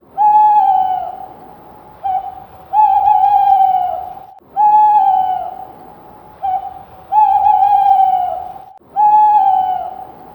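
A screech owl gives long, even-pitched trills about two seconds each, some with a brief note between, repeated every four to five seconds.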